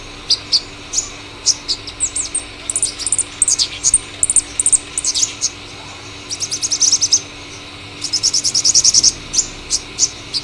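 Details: Purple sunbird (Cinnyris asiaticus) with varied high twittering: scattered thin chips and sweeps build into denser bursts and end in a fast high trill, over a faint low hum.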